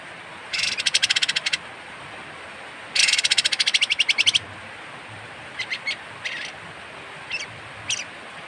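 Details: Strange harsh call of a kapas tembak bird, meant for tutoring caged songbirds: two rapid rattling buzzy bursts of about one second each, then several short scattered chips, against steady low hiss.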